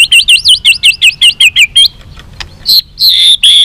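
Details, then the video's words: White-rumped shama singing to provoke a fight: a rapid run of about ten identical wavering whistled phrases, a brief pause and click, then longer high whistles. "chòe lửa kéo dây dài cực phê. đập tạch đuôi kích đấu. chòe lửa hót giọng dài kích lửa"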